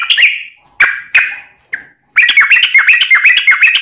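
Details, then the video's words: Yellow-vented bulbul in 'ropelan' song for bird training and luring: a few separate harsh chirps with gaps, then a lively rush of rapid, evenly paced bubbly notes to the end. "Kicau Trucuk Ropelan Panjang Ngelituk Tanpa jeda buat Masteran"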